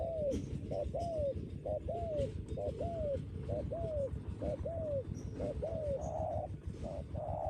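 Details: Strong-voiced spotted dove decoy bird whose coo holds up well. Repeated soft, arching coo notes come nearly once a second for about seven seconds, ending in two broader coos, over constant low-pitched background noise.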